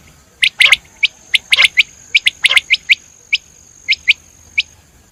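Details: Common quail calling with sharp, clipped broadband notes, mostly in quick groups of two or three, a steady high whine running beneath them.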